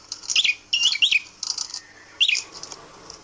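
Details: Hung-up caged prinia being tamed, uttering quick bursts of high, sharp twittering chirps, three clusters in a few seconds.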